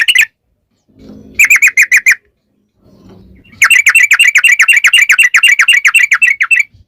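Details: Yellow-vented bulbul in long ropel style, a lure to make bulbuls sing back. Brief bursts of quick chirps, then a long fast trill of about four bright notes per second.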